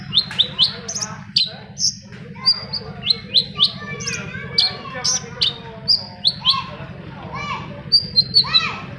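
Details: Long-tailed shrike song used as a lure for silent shrikes: sharp high chips, slurred notes and a few down-curving whistles, over a constant low droning hum.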